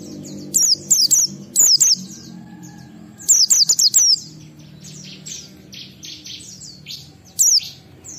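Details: Oriental white-eye performing ngalas song as a lure for kept white-eyes: clusters of high, piercing, falling chirps in quick pairs and runs of five, followed by softer twittering and a lone sharp note near the end.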